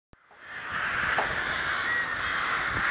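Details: Rooks in Chrudim's Ptačí ostrovy nature monument, Pardubice Region, Czech Republic, 30 May 2011: after a short click and brief quiet, a dense chorus of harsh overlapping caws swells and holds steady.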